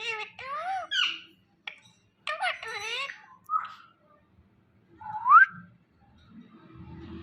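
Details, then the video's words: Pet Indian ringneck parrot (rose-ringed parakeet) talking indoors: bursts of harmonic, speech-like syllables with wavering, sliding pitch in the first three and a half seconds, then a short rising whistled squeal near five seconds, quiet room background. "Talking Parrot Mithu | Ringneck Parrot"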